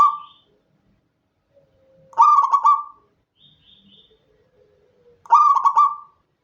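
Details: Local Indonesian zebra dove singing at night, recorded without remix or effects for training contest birds: two stuttered, mid-pitched cooing phrases about three seconds apart, each a quick broken run of notes ending in a held tone, with faint soft sounds between.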